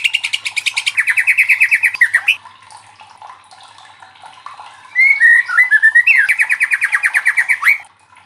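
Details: Loud white-rumped shama song used to challenge other shamas to sing: fast, even rattling trills of buzzy notes about three per second, a pause, twisting whistles, then the rapid trill resumes.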